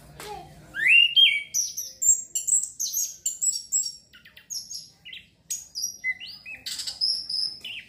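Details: Orange-headed thrush song meant to trigger breeding urge so birds sing readily. Opens with a loud rising whistle, then a long run of rapid, very high twittering and buzzy notes in quick varied bursts, with short breaks between phrases.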